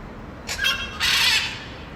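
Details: Blue-and-yellow macaw (arara canindé) screaming in the wild: two loud, hoarse, grating squawks in quick succession, the second longer and fuller, against faint background noise.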